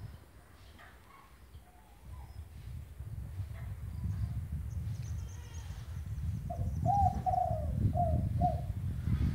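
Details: Spotted dove singing, used as a master recording for a bird that has stopped calling; low rumbling background noise builds, then a short series of hollow coos rises above it near the end.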